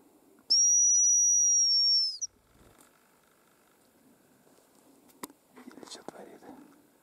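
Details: Hazel grouse: one long, thin, very high whistle lasting about a second and a half, level then falling slightly, followed by quiet faint rustles and soft background noise.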